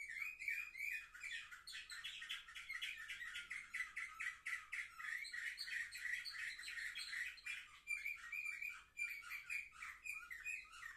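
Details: Seven-month-old young canaries recorded on 10 November 2023, singing a long, dense run of rapid buzzy trills and chattering notes, with brief pauses and restarts and no other sounds.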